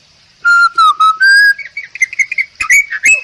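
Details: Song of a Bali myna, protected and growing rarer in the wild, recorded for song training: four long, clear whistles held low, then a quick run of higher chattering, warbled notes and sharp chips.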